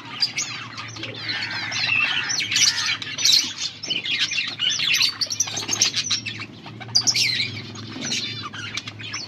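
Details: Mating calls from a breeding pair of budgerigars, August 16, 2024: busy chattering warble mixing rapid chirps, short whistled slurs and harsh squawks without pause, with a faint low hum beneath.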